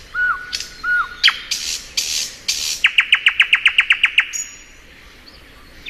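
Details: Thrush nightingale singing in spring gives two low, slurred whistles and harsh, noisy rasps. A loud rattle of about twelve rapid notes follows, and then quiet.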